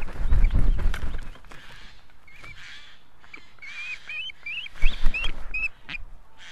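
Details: Osprey at the nest in Estonia with mate and chick, 3 August 2018: scattered high whistled chirps and wavering notes amid rustling, bumping and low rumbling noise.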